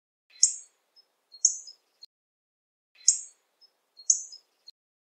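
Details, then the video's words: Hawfinch calling: high, sharp ticking notes with short buzzy tails, in pairs repeated about every 1.6 seconds, with faint lower rasping underneath; quiet background. "Hawfinch Song! Hawfinch Call! Hawfinch Sound! - Picogordo Común Canto"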